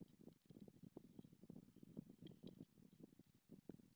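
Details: Bill-clattering greeting of a white stork pair at a live-broadcast nest in Madrigal de las Altas Torres, the male just arrived after the female laid the second egg; soft, dense train of quick knocking clicks, rising and falling, with no other clear sounds.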